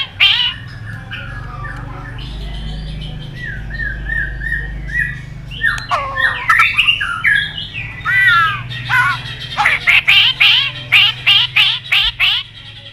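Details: White-rumped shama lure song for making other shamas sing: soft whistles and warbles, a tumbling run of twisting notes, then a long fast series of sharp, harsh chipping bursts.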